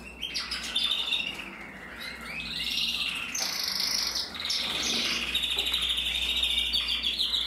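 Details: A male red mosaic isabel canary, red-masked and captive-bred, 2024, sings a long continuous warble: fast rolling trills, rising sweeps and bright whistled notes run together with few breaks.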